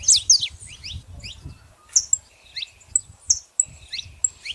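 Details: Female and male saffron finches give spaced, sharp high chips and short downward-sliding notes, some loud and clear, with a low rumble beneath.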